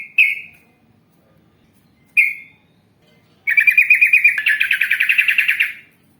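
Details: Yellow-vented bulbul singing in a long ropel style: two single sharp chirps two seconds apart, then a rapid, buzzy rolling trill of quick repeated notes lasting over two seconds.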